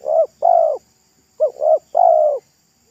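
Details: Roadside wild spotted dove with a thick, loud voice in pesom style: a short coo, a longer coo, a pause, then a quick coo, a second coo and a long falling coo.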